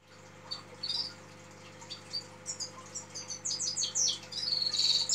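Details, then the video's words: Red-fronted serin song: after a quiet start, high thin chirps and tinkling notes grow denser into a quick, jingling twitter that is loudest in the final second, over a steady low electrical hum. "Пение красношапочного вьюрка"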